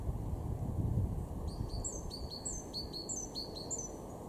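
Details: Great tit singing in a garden in Weener, East Frisia, northwest Germany, in March 2023: after a quiet start, high clear two-note phrases repeat rapidly, each a sharp upper note dropping to a lower whistle, over steady low rumbling background noise.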